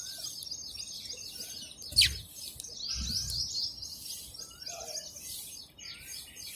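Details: Sparrows chirping while eating food: a dense, continuous chatter of high, quick overlapping chirps from several birds, a sharp click near two seconds, and soft low thuds around two to three seconds.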